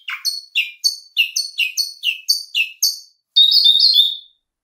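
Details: A red-rumped parrot, a pet/aviary bird, sings a gentle two-tone whistled song: about ten bright two-note whistled chirps, then a short warbling trill, high and sweet.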